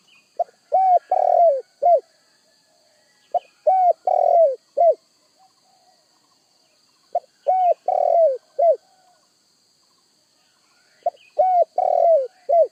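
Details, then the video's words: Spotted dove cooing in clear low hollow phrases. Each phrase has three or four mellow notes, the middle one longer and rolling. The phrases repeat about every three to four seconds against a faint steady high-pitched hiss. "Sekali Klik Burung Tekukur Anda Pasti Langsung Nyaut"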